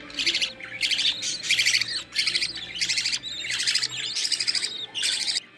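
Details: Budgerigar chicks of the green line, one carrying opaline, being fed by their mother in the nest: loud, raspy high chirps in dense bursts roughly every second, with short pauses.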